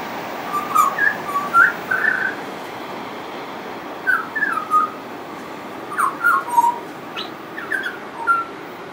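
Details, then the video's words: Friendly pied butcherbird keeps singing, its repertoire holding mimicry: clusters of mellow whistles and slurred notes in bursts with gaps between, faint higher bird chirps in the background. "Pied Butcherbird wouldn't shut up"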